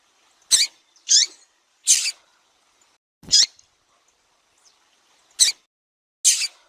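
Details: Brazilian female double-collared seedeater peeping and calling to attract a male, described as in breeding condition. Six brief, piercing high chips are spaced unevenly, mostly under a second apart, with silence between.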